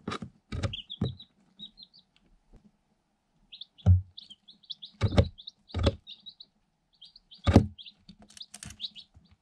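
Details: Day-old Light Sussex chicks, eight of them, in a cardboard box after incubator hatching, giving short high peeps in small clusters, with loud thumps of pecking at the box and camera.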